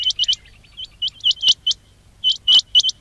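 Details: Quail calls used as a lure for quail trapping: sharp, high, upward-flicking notes in quick bursts of two or three. Several bursts are spread over three seconds, with a faint low hum underneath.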